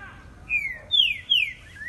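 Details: Green-winged saltator taken on a short outing, singing three loud whistled slurred notes, the first rising and the next two sweeping down from high pitch, followed by a softer rising whistle, over faint low rumble.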